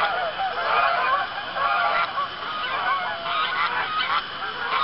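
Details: Sundown on a pond somewhere in Arkansas, October evening: geese honk steadily as others arrive, a busy overlapping series of harsh, nasal calls.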